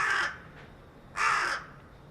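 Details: Carrion crow calling from atop a utility pole in a residential area on 4 February 2021: two loud, harsh, hoarse caws about a second apart, with a faint short note between them and quiet surroundings.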